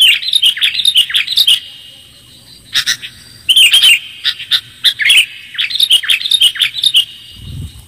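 A sooty-headed bulbul gives bursts of bright, bubbly chirping notes in quick runs, separated by brief pauses; a soft low thump comes at the end.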